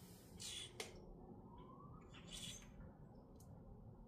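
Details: Two harsh, hissing squawks from grackles in Minnesota, separated by a thin rising whistle and a sharp click, against a quiet low hum.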